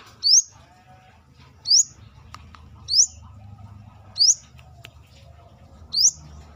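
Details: Brown-throated sunbird (Manggar) calling steadily outside the cage, a series of five thin, high, sharply rising notes spaced about every 1.3 seconds over a low steady background hum.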